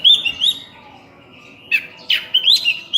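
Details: Oriental magpie-robin (kacer) singing: a few clear, rising whistled notes, then a pause, then a sharp harsh note and more bright upswept whistles.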